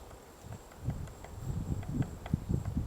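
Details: Morning recording from Gongsanseong Fortress, Gongju, Republic of Korea, 22 March 2024: a White-backed woodpecker digging its nest gives a short run of quickening, hollow pecks that grow louder.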